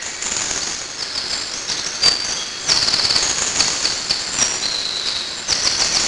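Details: Eurasian blue tit chicks in a tree hollow as parents bring food: a continuous high, hissing chatter of begging young, with sharp broadband rustles and taps from movement in the nest cavity, swelling in bursts near the end.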